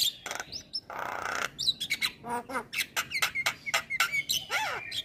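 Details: A male Javan myna with white eyes sings to stir other mynas into song: a noisy harsh rasp, then rapid clicks, buzzy notes and short whistles, closing with a swooping whistle.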